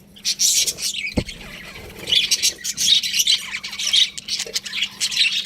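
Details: Budgerigars giving scratchy chirps and warbled chatter, a single sharp knock early on, then continued overlapping high twitters over a faint hum.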